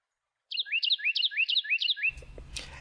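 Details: A Carolina wren in a back yard sings a loud, rolling phrase repeated five times in quick succession, each a bright downslurred note and rising whistle, then a voice and handling noise.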